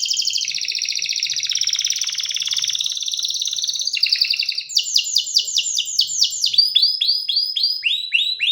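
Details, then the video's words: Canary song opening with a long rolling trill, then switching to a run of falling whistled notes repeated in quick tours. "جميع طيور الكناري سوف تغني بعد الاستماع إليها Canary singing"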